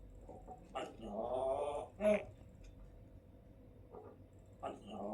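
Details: An African grey parrot in a good mood, talking with its owner, says "Allahu Akbar" in a throaty, human-like voice with one long drawn-out syllable. It then gives a few short clicks and squawks in a quiet room.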